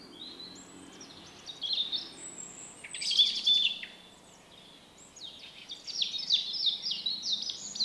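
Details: Shy male common blackbird with a distinctive song, March 2024. Scratchy, high twittering phrases with a louder burst midway, a pause, then rapid repeated high notes.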